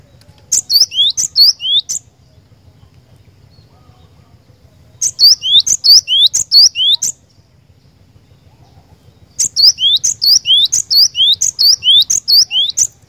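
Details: Cinereous tit singing in three bursts, each about two seconds of quickly repeated paired notes, a high chip and a lower rising whistle, separated by three-second silences.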